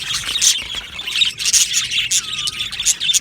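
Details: Aviary of Australian budgies chattering in high, buzzy chirps, with a lower drawn-out whistled note sliding downward near the end.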